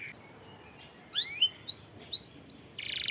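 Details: Canary song from a lure recording for stimulating singing: scattered bright whistled upslurs and short chirps with gaps between, closing with a harsh buzzy burst.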